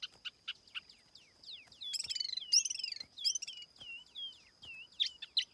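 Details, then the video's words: Lure-bird tiểu mi laughingthrush song without background noise: scattered thin chirps, then a dense buzzy twittering burst, followed by a string of short clear downslurred whistles. "TIẾNG CHIM TIỂU MI MỒI KHÔNG TẠP ÂM CỰC CHUẨN"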